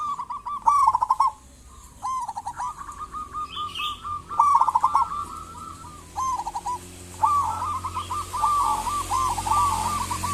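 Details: Local zebra dove singing to lure other zebra doves into calling: repeated coo phrases, each beginning with a fast stutter and ending in soft, rolling notes, with brief gaps and faint chirps behind.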